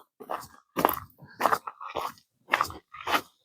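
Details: Six irregular bursts of crunching, chewing-like noise separated by short silences; no animal call is present.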